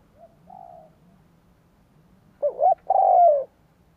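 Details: Decoy spotted dove cooing to lure wild doves: faint soft low coos, then a loud phrase of two quick hooked notes followed by a long, steady, slightly falling coo.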